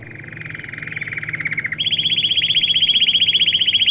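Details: Domestic canary song meant for training young birds: a fast, even trill of low buzzy notes swelling for nearly two seconds, then switching abruptly to a higher, louder rolling trill that runs to the end, with a faint steady hum beneath.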